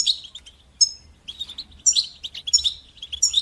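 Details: Training song of the European goldfinch, batbata and satsata styles, for teaching young goldfinches: crisp tinkling notes and liquid twitters, about every half second, rising into fuller, more jangling phrases.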